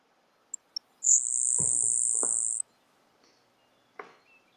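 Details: Grasshopper Sparrow singing during April grassland bird surveys at Audubon Starr Ranch Sanctuary, Southern California: two tiny high ticks, then a thin, very high insect-like buzz lasting about a second and a half, with a few low thumps.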